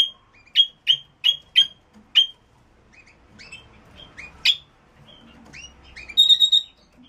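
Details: Red-rumped parrot song meant to encourage mating: a quick run of bright whistled chirps, then softer scattered twittering over faint background rustle, ending in a louder, harsher buzzy squeal.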